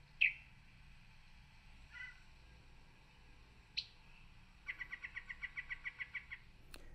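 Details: Yellow-breasted Chat sings a jumbled song that is all over the place: a sharp whistle, a low chuck, a clipped note, then a quick run of about a dozen even, rattling notes.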